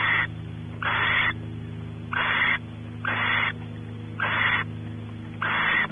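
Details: Barn owls at Audubon Starr Ranch, California, as the male explores the cavity and the female waits to mate; six coarse, noisy hissing bursts at irregular intervals of about a second, low hum underneath.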